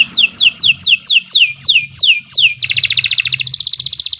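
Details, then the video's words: Canary song for training birds: about nine clear descending whistled notes spaced evenly, switching abruptly to a fast, high, rattling trill that continues to the end. "Kicau Burung Kenari 106 II GACOR PANJANG Cocok untuk Masteran Super"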